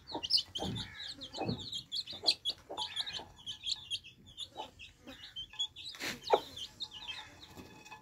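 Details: A group of thirsty baby chicks drinking fresh water peeps almost without pause, with high, brief, falling notes packed tightly together and a scatter of knocks and clicks, one strong crack near the sixth second.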